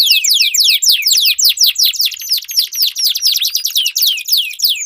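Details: Two canaries in a song duel, long rolls used to stimulate jammed birds: loud series of sweeping descending whistles repeated about twice a second, overlapping voices.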